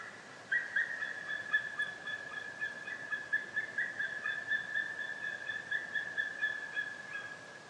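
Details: White-tailed eagle heard at some distance, a faint but continuous stream of quick, thin yelping notes at an even pitch lasting about seven seconds over a quiet background.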